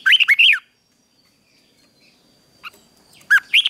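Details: Red-whiskered bulbul fighting song during morning song training: a quick loud warbled phrase of arching whistles, silence, then a brief fragment of the same bright phrase.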